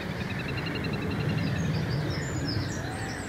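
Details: Black-necked grebe (Podiceps nigricollis nigricollis) recorded at Hollogne-sur-Geer, Belgium, in April 2016: a rapid, even trill of high dotted notes lasting about a second and a half, over a steady low rumble with faint other calls later.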